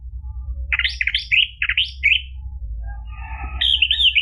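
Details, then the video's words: Orange-headed thrush song played to prompt a caged bird to sing: a run of rapid, slurred, descending whistled notes in quick succession, a short pause, then a higher varied warbling phrase, over a steady low hum. "PANCINGAN ANIS MERAH biar bunyi NYAUT JADI GACOR NGEPLONG ampuh buat terapi macet bunyi"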